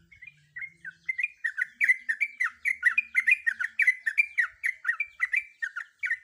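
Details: A female sooty-headed bulbul in breeding condition calls to a male with a long, even stream of rapid bubbly chirps, roughly three per second, each note slurring down, with a faint low hum behind.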